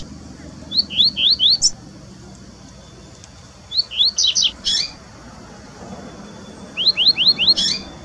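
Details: Double-collared seedeaters singing in the wild, Brazil: three bursts of four to five rapid, high, upslurred whistled notes ending in buzzy trills, spaced about three seconds apart, against faint low rumble.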